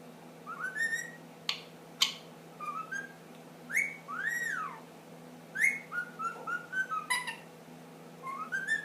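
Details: Indoor pet ring-necked parakeet, ten months old, mixing whistled phrases with sharp clicks: rising whistles, an arching up-and-down swoop, then a tumbling series of short whistled notes.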